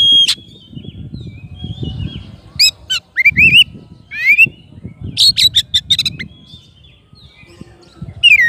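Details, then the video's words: Oriental magpie-robin singing to call its rival: loud whistled slurs and rapid chattering bursts, interrupted by pauses, over steady low background rumble. "KACER GACOR MANGGIL LAWANNYA BIKIN NYAUT DAN NGEPLONG"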